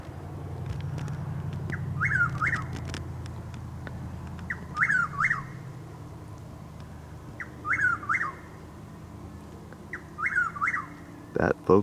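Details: In darkness at about 6:20 a.m. in Highlands County, Florida, a Chuck-will's-widow repeats its snappy whistled phrase four times, about every three seconds, with a low rumble early on and a brief thump at the end.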